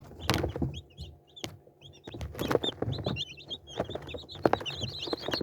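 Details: Chicks peep with short, high, scattered chirps, some rising and some falling, over loud thumps and rustling handling noise.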